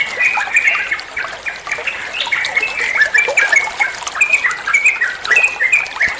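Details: Training song of the yellow-vented bulbul, or trucuan, played to get other birds calling back: chirpy warbling phrases of short whistles and slurred notes, fairly even, with a soft hissing background.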